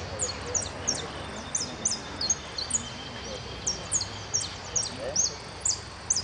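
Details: Goldfinch (jilguero) competing at a Federación Irupé song contest, 22-02-15, singing rapid, high, thin twittering notes in bursts, about two per second, over a low background hum.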